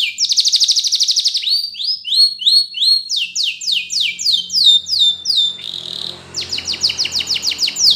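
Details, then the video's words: Spanish Timbrado canary singing, used as a training song for canaries. Fast, bright, high trills roll and change every second or so, from rapid buzzy tours to sweeping repeated slurred notes, with a faint low hum underneath. "Canary Bird Sound For Training!! Yellow Canary"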